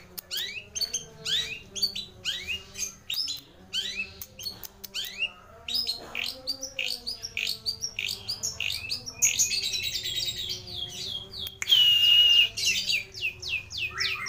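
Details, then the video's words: Long-tailed shrike, a full, richly varied song: a dense run of sharp, rising chirps and notes repeated rapidly, then a louder harsh, scratchy burst and a drawn-out high whistle near the end; low steady hum underneath. "Burung Cendet Atau Pentet Gacor Isian Melimpah Komplit FULL Master"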